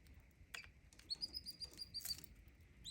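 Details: Canary singing: a run of short, clear whistled notes repeated rapidly at a steady high pitch, opened and later broken by brief sharper chirps, over a faint steady background hum.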